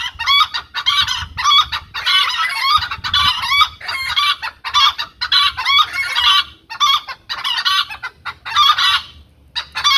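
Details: Domestic hen shouting a long run of loud, grating cackles, bursts packed closely with short gaps, continuing steadily for ten seconds.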